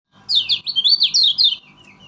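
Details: Kecial kuning, the Lemon-bellied White-eye from Lombok, a diligent singer kept as a lure for other birds: a fast, high twittering phrase of linked rising and falling notes lasting about one and a half seconds.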